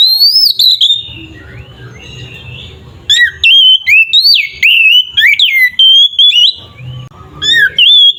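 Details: Loud, fighting-mode song of an Oriental magpie-robin, meant to stir other magpie-robins into agitation. A long rising whistle opens, then a lull with faint low murmuring, followed by rapid bursts of sweet, sliding, warbled notes.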